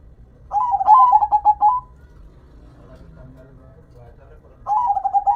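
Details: Local perkutut, or zebra dove, gives a bubbling cooed phrase of quick pulsed notes, then after a quiet gap of about three seconds starts another phrase with a rising first note.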